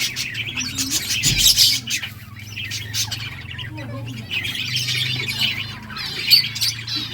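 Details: Playing budgerigars in a breeding flock produce rapid, twittering high chirps in bunched runs, quieter in the middle, over a low mechanical hum.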